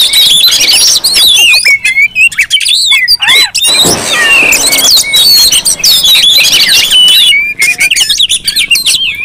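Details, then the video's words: Oriental magpie-robins in a noisy crowded chorus meant to lure and provoke other magpie-robins into singing; continuous loud tumbling mix of sharp whistles, chatters and harsh squeaks. "Suara Kacer ribut Rame Banget sangat cocok buat pancingan"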